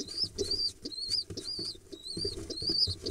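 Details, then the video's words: Pigeon nestlings, hatched early October 2021, excited while being fed on 15 October 2021: rapid, high, thin wavering squeaks repeated continuously, with soft shuffling and bumping below. "These pigeon nestlings get so excited when they get fed"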